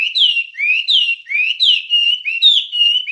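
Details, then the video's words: Wambie song from a recording for training songbirds: smooth whistled notes that rise and fall, alternating in a rolling, repeated pattern about once every half second. "Ocehan Suara Burung Wambie"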